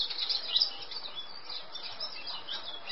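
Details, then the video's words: A male Eurasian blackcap delivers a fast, twittering warble of high chirps, loudest in the first second and then trailing into softer notes over constant background noise. "Barátposzáta hím"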